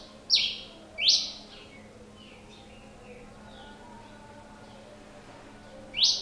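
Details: Pileated finch song with two loud, harsh down-swept buzzy notes, several seconds of faint soft calls, and a final rasping note at the end.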